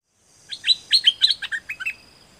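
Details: Song of a dok taeng bird, used for training other birds: a rapid run of about ten sharp, high chirps, some slurred downward, lasting about one and a half seconds against a quiet background.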